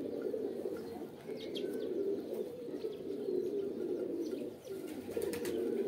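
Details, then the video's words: Low, throaty pigeon coos run almost without pause, layered from several birds, with brief high ticks and a short dip in loudness near the end. "Kabutar | Pigeon Videos | Kabootar Ki Video Episode-4 | Birds Sounds"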